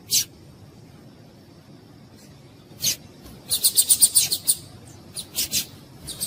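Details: Female papa-capim (Yellow-bellied Seedeater) calls used to excite males before contests: spaced single high chirps, then a quick run of about eight bright ticking notes, followed by a few more sharp calls.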